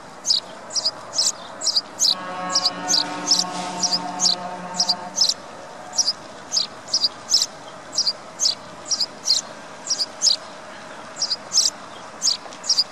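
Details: Sparrow chirping steadily: quick high chirps repeated many times at a fairly even pace, while a soft sustained tonal hum sounds underneath for a few seconds early on.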